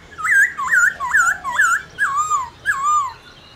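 A black-throated laughingthrush gives six loud, rich whistled notes, each sliding up and down, about two per second. No other sounds are clear.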